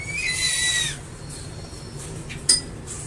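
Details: A single crested eagle whistle opens with a quick rising slur, then holds a steady high tone for under a second before stopping abruptly; a brief sharp click follows later over a soft low hum.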